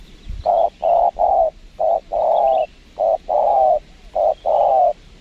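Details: Spotted dove responding to a lure on a windy site in Lombok, giving a rhythmic series of deep hollow coos, short notes alternating with longer drawn-out ones, over a low rumble of wind.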